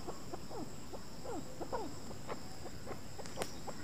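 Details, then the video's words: Chukar giving scattered, short clucking notes, several sliding sharply downward, spaced irregularly over a few seconds against a steady background hiss and faint high hum. "Chakor ki awaz | voice of chakor"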